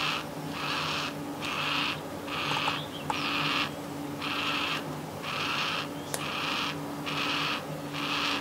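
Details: Yellow-tailed black cockatoo chick-age young bird begging for food near a house: rhythmic rasping calls slightly over one per second, with a faint click and a low hum beneath.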